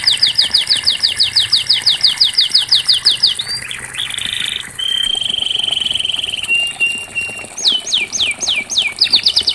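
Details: Canary singing in a training recording meant to get a silent canary singing again: a rapid run of repeated down-slurred notes, then steady whistled tones and a flat held note, ending with loud descending sweeps.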